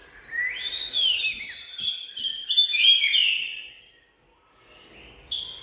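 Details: Oriental magpie-robin song: a rich rush of rising whistles and sweet warbled notes for about three seconds, a silent gap, then a few short sharp notes.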